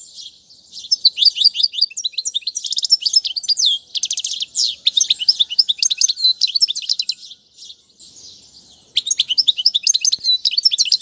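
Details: Fast, high twittering song of a European goldfinch, recorded for tutoring fledglings: dense runs of chirps and rattling trills in bursts, pausing briefly near eight seconds before a fresh energetic burst.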